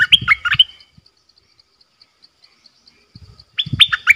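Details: Bulbul kept in a cage as a decoy, recorded 18 December 2021: a quick burst of fluty whistled notes, then near silence with soft ticks, then another whistled phrase over low rustling thumps.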